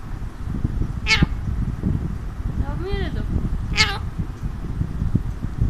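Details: Alexandrine parakeet kept as a pet, sitting on a person's hand and said to be talking: two piercing, downward-slurred squawks framing a softer arched, voice-like utterance, over constant low background rumble.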